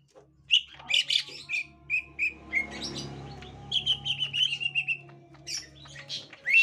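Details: Gotri green leafbird meeting a young wild green leafbird: sharp high chirps and short whistles repeated at uneven intervals, partly over a low rumbling background noise in the middle of the recording.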